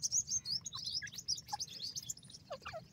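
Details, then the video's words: Grey francolin chicks giving many high, thin chirps and short rising peeps that overlap in a busy chorus, with a steady low hum underneath. "gora teetar baby ki khuraK,Pheasant bird beautifull chicks,lal teetar baby"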